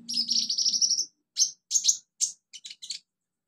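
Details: Wild olive-backed sunbird in native habitat: a continuous high buzzy trill for about a second, then a few separate sharp, very high chirps at irregular spacing.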